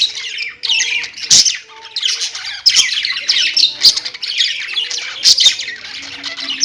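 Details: Pet budgies chirping: dense continuous warbling chatter of scratchy squawks and high chirps from several birds, with a few louder sharp clicks and lower tonal whistles underneath.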